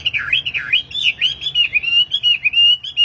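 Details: Wambi song from a tame kept bird, recorded for training and luring caged wambi: rapid, rolling whistled phrases that swoop down and up, strung together in an unbroken warble.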